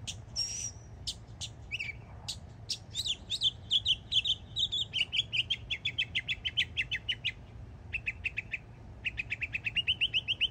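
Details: Yearling Northern mockingbird in Florida: a high thin whistle, then mixed notes, then long rapid trills of identical short notes repeated about three times a second, pausing briefly and resuming.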